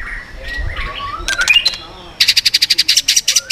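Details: White-rumped shama singing in the swiftlet-ringing style meant to provoke other birds: soft warbled phrases, then a burst of sharp notes and a fast run of harsh, evenly repeated rasping pulses.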